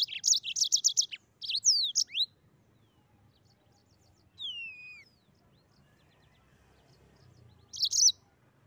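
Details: Mozambique canary giving a rapid run of high chirped notes and twisting slurs, a pause, a lone falling whistle, then a brief closing chirp burst.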